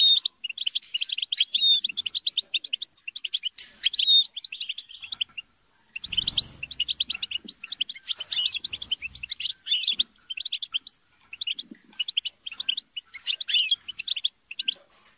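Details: Squabbling goldfinches in group chatter, used to get a goldfinch singing. Long runs of fast tinkling, twittering phrases break off briefly for a noisy rustle midway, then resume in dense overlapping bursts.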